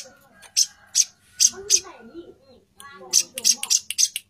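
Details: Female plain-throated sunbird calling the male, giving bright, sharp high-pitched chip notes in two clusters, while a person talks softly in the background.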